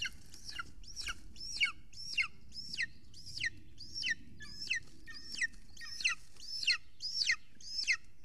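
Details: Golden eagle nest camera in Estonia, evening of 3 June 2020, huge prey arriving: a steady series of about thirteen high, piercing descending yelps, one every half second or so, with a low rumbling background throughout.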